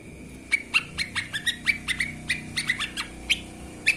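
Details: Lesser green leafbird singing on a master recording for training songbirds, described as chatty: sharp, clipped chirps and short downslurred notes in quick irregular bursts, with a faint steady high tone underneath.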